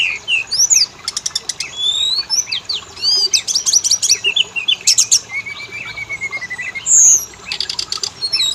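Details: Oriental magpie-robin (kacer) lure song to get males and females singing: varied slurred whistles and repeated sharp click bursts, a long level whistle, a strong high buzzy note, then more clicking.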